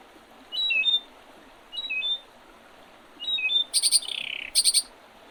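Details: Birdsong in spring beside the Oredezh River, Leningrad Oblast, Russia, 8 April 2023: a repeated three-note whistled phrase, then a rapid high chatter with a buzzy trill.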